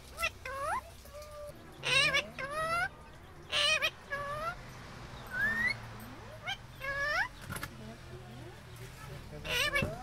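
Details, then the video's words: A pet Indian ringneck (rose-ringed parakeet) talks, chattering in bursts of harmonic, speech-like phrases with sharp rising squawks roughly every couple of seconds, over a faint background hum. "Indian ringneck parrot talking/parrot sound"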